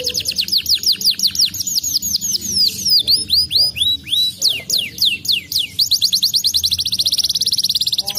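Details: Agitated crested fighter canary in energetic song, delivering rapid descending whistled sweeps, quick chattering phrases, then a fast rolling high trill at the end, steady and loud throughout.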